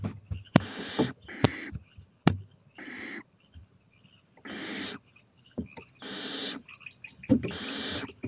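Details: Owl out on a porch late at night, 23 April 2018, growing more daring; drawn-out rasping hisses alternate with sharp knocks and scratching thumps, the hisses coming in broad bursts a second or so apart.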